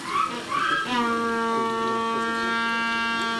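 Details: Captive Humboldt penguin at Suzaka City Zoo, Nagano, Japan, on 3 November 2018: a few short higher squeals, then a long steady harmonic bray held for over two seconds in a small reverberant space.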